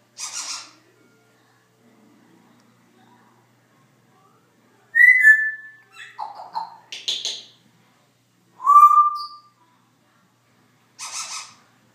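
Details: Pet Congo African grey parrot making scattered noises: hissy bursts, a high whistle dropping in pitch, clicks and raspy sounds, a steady whistle, and another hissy burst after quiet gaps.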